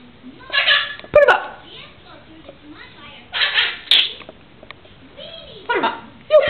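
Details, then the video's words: A male pet blue-and-gold macaw talks in short, hoarse, voice-like phrases such as "put 'em up", giving several loud bursts a second or two apart while a person speaks nearby; it also makes its contact sound and says "I love you". "Macaw talking-very animated"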